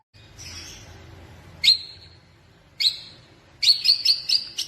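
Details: Pet white-rumped shama of the blorok variety in active song: separate high, bright whistled notes spaced about a second apart, then a quick burst of four or five ringing repeated notes over a soft background hum.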